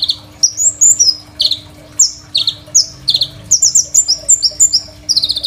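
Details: Crimson sunbird in full, varied song, used as a master recording for training other songbirds, recorded on an Oppo A37f phone: very high, rapid buzzy trills and sharp slurred notes falling in pitch, delivered in quick bursts with short pauses.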